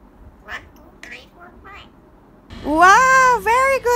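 A talking myna counts in a quick run of soft, short word-like notes, followed by a louder, drawn-out voice with a rising and falling tone.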